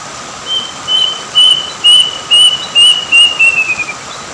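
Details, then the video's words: Plaintive cuckoo by a river in Indonesia sings about ten pure whistled notes, gradually quickening and ending in a rapid slurred descent, with a low continuous hum in the background. "suara burung kedasih"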